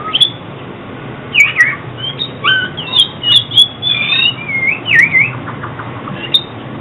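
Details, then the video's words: Oriental magpie-robin song for trapping and song training: high squeaky chirps and short twisting whistles in a busy jumble, some brief clicks, against a steady low hum. "Tiếng chích chòe than chuyên dùng đi bẫy và luyện giọng chim hót hay mỗi ngày"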